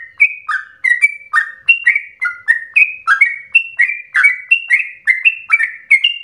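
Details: Sooty-headed bulbul delivering fast, persistent song used as a singing prompt and training recording; crisp chirps step up and down in quick pairs, about three phrases each second, with nothing else audible.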